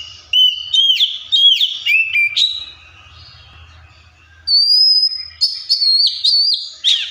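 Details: Oriental magpie-robin song with imitations of other birds: rapid looping whistles and chirps in a rolling series, a pause, then a high sustained whistle followed by quick varied notes and a falling slur.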